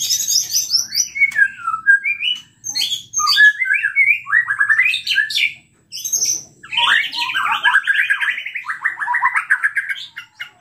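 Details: Agitated white-rumped shama singing, played to trigger other shamas: quick high chips open the song, then varied whistled phrases and a long buzzy trilled passage, with brief pauses between bursts.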